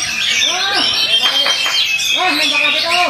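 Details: Oriental magpie-robin (kacer) performing: a dense, high, rapid warbling of chirps and whistles runs throughout, over lower swooping harmonic sounds and human speech in the background.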